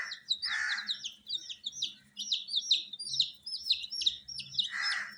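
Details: A flock of dyed baby chicks chirps nonstop: quick, piercing, downward-sliding peeps run in steady succession, with a coarse, noisy burst at the start and another near the end.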